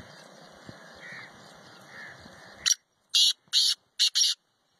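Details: Kala teetar, the black francolin, recorded wild in natural habitat in Pakistan, gives a strident rasping phrase: a single scratchy note, a gap, then a quick run of three or four harsh grating notes, following quiet ambient hiss.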